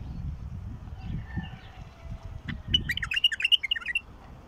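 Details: Wild bulbul singing; after a quiet start, a lively burst of bright, warbled, quickly repeated notes arrives in the second half, with low background rumble throughout.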